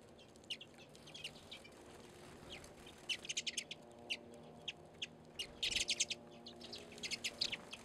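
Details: A flock of redpolls at a winter bird seed feeder on a back deck in Anchorage, Alaska, in February. Scattered high chips build into short rattling bursts, densest around the sixth second and again near the end.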